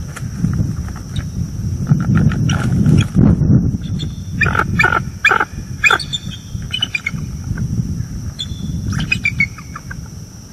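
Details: Bald eagle pair keeping track of an owl at their nest tree at night in northeast Florida, October 2022, picked up by a live cam. Scattered high chirps, then a quick series of piping notes midway, over heavy low rumble.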